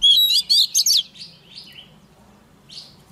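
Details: Oriental magpie-robin decoy bird singing its morning voice-training song, meant to fire birds up quickly: a burst of loud, bright whistled and buzzy notes in the first second, then softer trailing phrases with quiet gaps.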